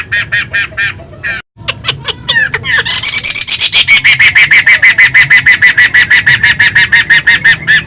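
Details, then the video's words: Poksay (laughingthrush) singing vigorously: a few scattered notes and a short break, then a fast, steady run of loud, bright, repeated notes, about three per second, carrying on to the end. "Burung GACOR Poksay Pemula"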